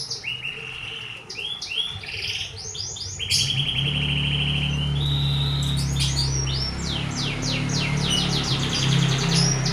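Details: Singing canary delivers fast rolling trills and sweeping whistled notes in shifting phrases, bright and rapid, over a steady low hum in the background.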